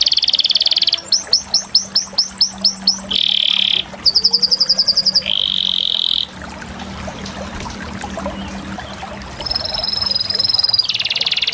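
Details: Canary song of varied tours: a high trill, a series of quick downward swoops, a buzzy low roll, a fast high chatter, then a quieter spell before a sharp high trill returns.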